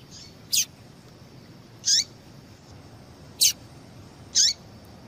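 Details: High, sharp chirps from a female yellow-bellied seedeater, heard four times at uneven gaps of one to one and a half seconds, each a short bright note dropping at its tail; calling intended to stimulate male song, with soft low hum behind.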